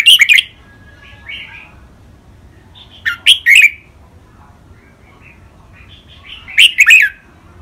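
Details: Red-whiskered bulbul, a caged Thai bird, in a singing match against another bird, using styles such as rik, double, lak wai, mae bot and counted notes. Three loud chirpy phrases repeat roughly every three seconds, with faint warbles in the gaps.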